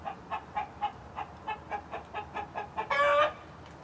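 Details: Backyard flock of hens of several breeds (Light Brahma, Barred Plymouth Rock, White Leghorn) with Rhode Island Red roosters; a steady run of short clucks about every quarter second, ending in a louder, harsher squawk.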